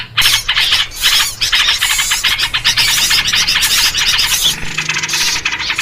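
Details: Yellow-vented bulbuls calling noisily, a sound used to lure birds into traps; bursts of fast, scratchy chattering notes from several birds, with a shift to a thinner, hissier texture near the end.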